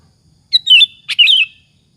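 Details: Sooty-headed bulbul in full song, a lure to stir other bulbuls to answer: two quick liquid phrases, each a bright chirp sliding into a warbled downward-bending whistle.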